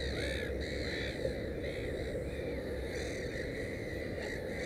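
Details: Black-headed gull at a nest with three chicks: harsh, nasal arching calls repeated in quick succession, a few every second through the clip, over a steady low rumbling background.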